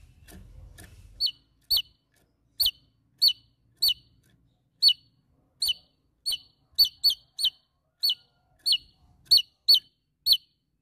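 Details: Javan tesia calling to challenge a rival: sharp, high, downward-flicking chips spaced irregularly, about one every half second, sometimes doubled. Faint low rumble at the start.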